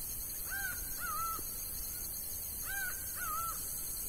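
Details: Laughing falcon in Bahia's sertão calling in repeated couplets. A bright arched note leads into a quavering lower note, heard twice about two seconds apart, with constant high hiss behind.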